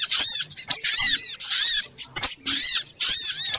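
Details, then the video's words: Agitated little spiderhunter lure sound: rapid clusters of sharp, high arched squeaks arriving in bursts about every half second, with short quiet breaks. "Suara pikat burung sogok ontong ribut kompilasi"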